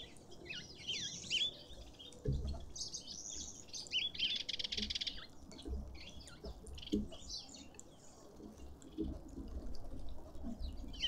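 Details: Green wood hoopoe, close up in a suburban garden in Pretoria, South Africa, giving harsh, high chattering bursts that run together into a busy cackle over about ten seconds, with low rumbling background noise.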